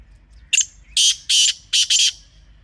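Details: Black francolin (kala teetar) from Pakistan, recorded in a natural setting: one short harsh note, then four loud grating, buzzy notes in quick succession, paired as a rhythmic phrase, over a quiet background.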